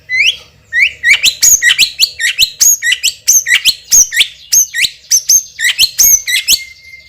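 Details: White-rumped shama, a champion bird with a powerful, sharp song: a long chain of quick rising whistles and crisp clicks delivered about three per second, loud and steady throughout.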